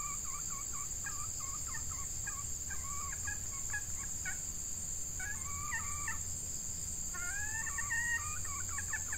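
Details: A red junglefowl hen used as a decoy to lure wild males, in hot weather during the breeding season, gives rapid, throaty clucking phrases in three bursts, with a steady high insect drone throughout.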